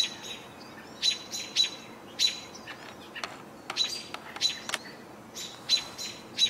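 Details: American robins on 28 June 2018, with house finch also heard: short, bright chirped notes in loose bursts about every second, with high thin tones mixed in.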